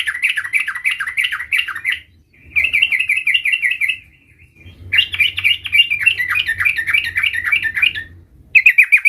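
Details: Young sooty-headed bulbul learning its rolling song: long runs of rapid, bubbly, wavering chirps in three phrases separated by short pauses, with a faint low hum.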